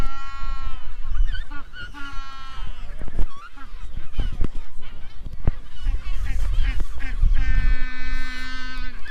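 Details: Magellanic penguins at the Magdalena Island nesting reserve, Chile, January 2023, among couples with chicks, give loud, donkey-like braying trumpets, long harmonic blasts with short gasping notes between, over background chatter and speech.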